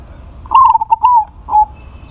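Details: Zebra dove of a local strain calling out a rival: one rapid phrase of soft, hollow coos, four or five short notes tumbling together, then a single drawn-out coo after a brief gap, against near-silent surroundings.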